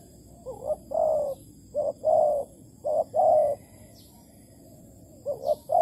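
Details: Malaysian spotted dove decoy calling at a bird trap, August 2020: repeated soft, mellow coo phrases, a brief doubled note then a drawn-out purr, about four in a row, with faint high chirps from other birds.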